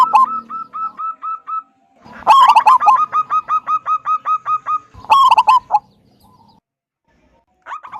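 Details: Singing zebra dove, local wild type with a big 'kung' voice, luring other doves to sing. Short repeated notes, then a loud coo followed by about a dozen rhythmic pulses, another coo, and quiet.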